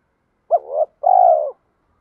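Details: Spotted dove cooing in the 'thổ' voice style mixed with 'thúc', used to train decoy birds to coo all day: a short rising note, a brief gap, then a long low rolling coo with a slightly vibrating texture.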